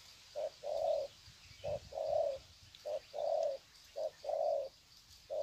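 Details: Decoy spotted doves calling to greet each other, Sê San, February 2020; rhythmic low coos, each short hoot followed by a longer smooth one, repeating roughly every second over light background hiss.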